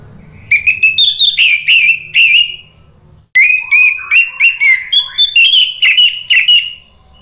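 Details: Orange-headed thrush, a kept songbird, singing loud lure song meant to trigger a reply from a stalled bird: two long strings of varied whistles and chips, warbling and sliding, separated by a brief break, then fading.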